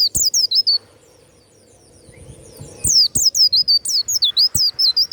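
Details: Warbling white-eye, Banyuwangi strain, a cage bird prized for loud, open 'ngeplong' singing: two bursts of piercing, high wavy whistle notes, each rising then tumbling down, separated by about two seconds of near silence.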